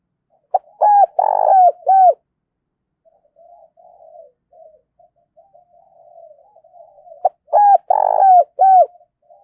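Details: Decoy spotted dove luring wild doves for trapping. It gives two bursts of four or five quick, husky coos, separated by about five seconds of quiet, low murmuring.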